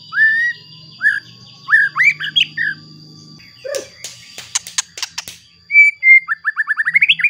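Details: White-rumped shama song used to provoke other shamas into singing: rising whistled slurs, a burst of sharp clicking notes, then a fast run of short rising whistles, over a low steady hum and a constant high tone.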